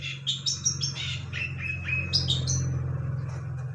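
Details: Long-tailed shrike singing gacor, a run of quick high chirps and short whistled notes, some sliding downward, tumbling over each other at an uneven pace, over a steady low electrical hum.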